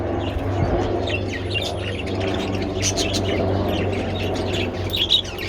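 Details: Sunbathing budgies eating treats on 27 February give scattered short chirps and chattery notes, a sharper squeak near the end, above a steady low hum.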